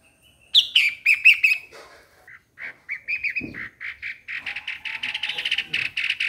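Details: Bright, tumbling bulbul notes open the passage, then a steady, rhythmic series of short chirps continues, with a faint lower call in the background.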